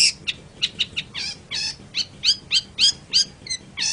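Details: Long-tailed shrike song used as a lure recording for training birds: a rapid series of harsh, scratchy notes with descending sweeps and chattering phrases, uneven in rhythm, high-pitched, with a faint low hum underneath.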